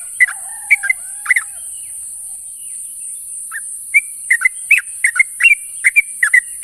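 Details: Sooty-headed bulbul calling to companions in the morning. Chirps open the recording beside a faint low drawn-out whistle, then a quiet gap, then a lively run of short paired chirps. A high hiss runs throughout.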